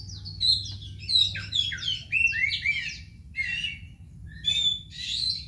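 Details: White-rumped shama kept at home, delivering a rich varied song of clear slurred whistles, descending glides and harsh buzzy notes in quick phrases, with brief pauses between bursts and a faint low hum behind.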